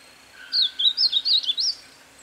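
A Blackish-blue Seedeater sings a quick run of five or six clear, swooping whistled notes, rising and falling, over about a second, against a quiet background.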